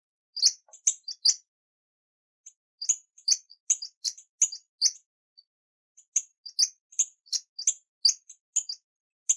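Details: Hummingbird chattering in bursts of high, squeaky chip notes. A quick volley is followed by a silent gap, then two longer rapid runs of thin, sharp twitters separated by short pauses.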